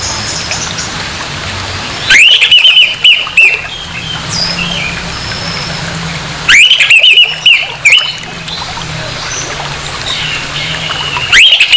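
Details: An orange-headed thrush sings a harsh song used to rouse aggression in another of its kind: three loud, rasping bursts of quick notes spaced several seconds apart, with quiet hum between them.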